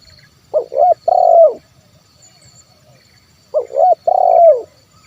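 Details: Spotted dove cooing in the 'kuk 1' style, a lure recording for getting wild and kept doves to call. Two short hollow notes run into a long, low, rolling coo that falls at the end. The phrase is given twice.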